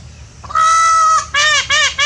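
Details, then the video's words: Peacock calling while dancing: one loud, nasal, strongly harmonic wail held for about 0.7 seconds, then three shorter arched cries in quick succession, over a low background hum. "Peacock voice with dance"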